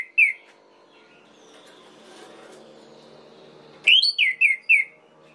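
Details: Orange-headed thrush song played to provoke other males: one short whistle, a long stretch of low background murmur, then four loud downslurred whistled notes in quick succession.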